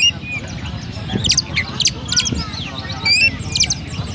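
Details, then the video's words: Caged Oriental magpie-robin in Central Java, Indonesia, sparrow-style: scattered high chirps and squeaky notes in short clusters about once a second, with faint low voices underneath. "Burung Kacer Rasa Gereja"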